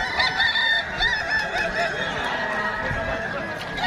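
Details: Kukuak Balenggek rooster at a crowing contest: a drawn-out, wavering crow of sustained harmonic tones, against a steady hum of crowd noise with scattered chatter.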